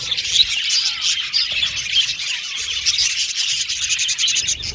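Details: Aviary budgerigar colony chattering, high scratchy twitters and chirps from many birds blending into a dense wall of sound, with rapid rasping bursts near the end.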